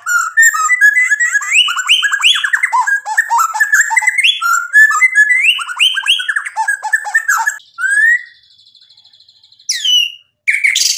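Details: White-rumped shama singing to provoke a rival into answering: rapid varied phrases of repeated sweeping notes between mid and high pitch, a brief steady high whistle, then sharp rising calls near the end.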